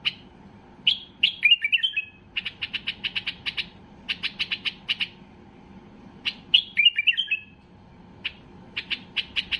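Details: White-eared bulbul at full excitement, singing to trigger other bulbuls: descending warbled whistled phrases alternate with rapid trains of sharp clicking notes, the pattern repeating twice.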